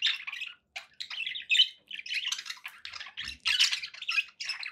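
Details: Pet budgerigars warbling and squawking almost continuously, scratchy chirps running together, with a soft low knock partway through.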